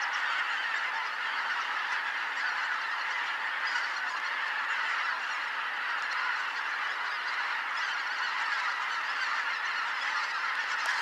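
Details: Greater white-fronted geese, a large flock coming in to roost at Kotomo Pond, 13 October 2019 after sunset. Even, sustained mass of overlapping honking calls throughout, many geese calling at once without pause.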